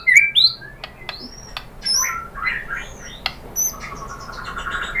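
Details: White-rumped shama song used to provoke other birds into singing: scattered clear whistled notes, some rising and some high and thin, mixed with sharp clicks and soft warbles over a quiet background hiss.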